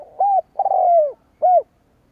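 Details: Spotted dove call used to lure rival doves: three low hollow coos, a short note, a long drawn-out falling coo, then a short final note.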